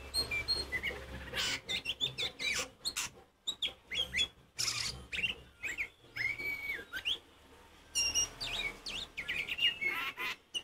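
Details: Oriental magpie-robin singing loudly to rouse other magpie-robins: varied whistled phrases and rapid chips in bursts with short silent gaps, including a smooth drawn-out whistle near the middle.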